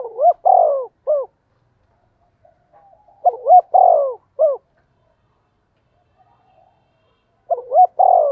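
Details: Spotted dove coo used as a lure for wild doves: three phrases, each with short rising notes, a long falling coo and a final clipped note, separated by pauses of about two seconds.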